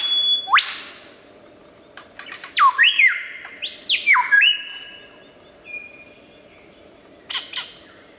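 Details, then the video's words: Lyrebird song full of mimicry: rapid downward and upward whistled sweeps, stepped sustained tones at different pitches, bursts of sharp clicks, and quieter gaps between phrases. "Amazing! Bird Sounds From The Lyre Bird"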